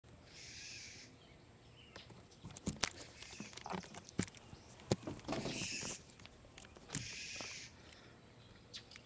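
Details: Blue jay scolding a cat, captured on a webcam on June 21, 2009, in the afternoon: three harsh, raspy screeches of about half a second each, separated by sharp clicks, knocks and rustling handling noise.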